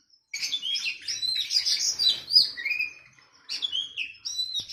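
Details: Oriental magpie-robin training song, a masteran recording paired with a sooty-headed bulbul for teaching a captive bird: dense high chirps, trills and whistled slurs in quick bursts, a short pause, then more rapid twittering.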